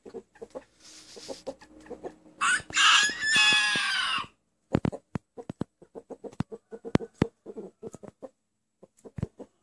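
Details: A rooster whose crow is said to sound like 'anneanne', grandmother in Turkish. Scattered clucks, then one loud, harsh, drawn-out crow lasting about two seconds, followed by more short clucks and taps.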